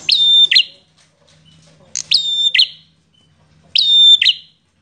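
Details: Aggressive bar-winged prinia with fighter spirit: three separate buzzy ringing phrases, each a pair of harsh chips joined by a thin steady tone, spaced nearly two seconds apart.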